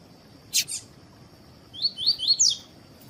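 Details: Two sharp broadband clicks, then a coleiro delivering its tui-tui phrase, meant to warm up other birds: several short rising whistles in quick succession finishing on a higher note, a faint steady whine behind.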